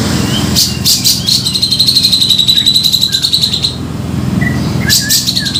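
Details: Grey-cheeked bulbul lure call used for trapping birds, a lively chattering trill of rapid high notes held for about three seconds, framed by harsh broadband bursts, over a steady low hum.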